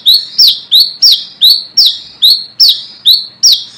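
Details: Ngalas-type brown-throated sunbird calling rivals as a lure: ten piercing, high, slurred chips delivered at a brisk, fairly regular pace.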